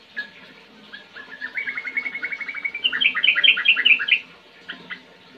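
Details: Yellow-vented bulbul song used to prompt kept birds to sing: a few scattered notes, then a rapid chattering trill leading into loud, bubbly, wavering phrases, followed by faint single clicks.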